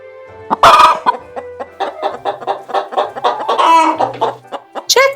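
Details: Chicken clucking: a rapid series of short, throaty clucks about every quarter second, with a couple of louder squawking notes, over soft background music.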